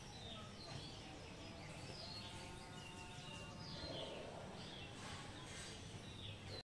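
Common myna giving scattered short chirps and squeaky whistles with a brief harsh, nasal phrase, over steady low outdoor rumble.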